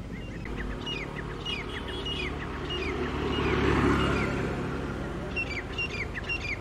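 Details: Wild grey francolins, two groups clashing over territory on high rocks in early morning, October 2022: dense overlapping shrill, rising whistled notes tumble rapidly over one another, with a steady low rumble of background noise.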